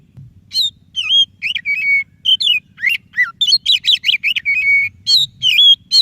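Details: White-rumped shama, white-breasted variety, singing as a prompt for a quiet shama: loud continuous medley of whistled slurs, steady held notes, fast trilled runs and upward sweeps, barely pausing across six seconds.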